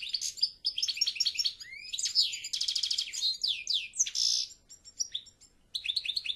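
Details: European goldfinch in full song: a fast, tinkling run of high twittering notes, buzzy trills and liquid slurred phrases that pour out almost without pause, ending with a few brief separate chirps.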